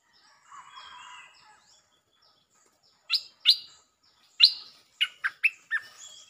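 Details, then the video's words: Bulbul lure song, 'Chao Bank' style with doubled phrases: a soft low murmur first, then a series of loud, sharp slurred notes, about six spaced chirps climbing into a quick run. "เสียงนกดอกแตงEp.153 ฟังกันยาวๆเพลงจ้าวแบงค์ มีเบิ้ล เพลงเพราะน่าฟังSuara pikat merbah lekir gacor"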